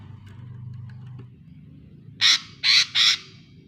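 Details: Lesser green leafbird played as a lure to prompt a silent bird. After faint background noise, it gives three separate harsh, grating notes, each about a fifth of a second long.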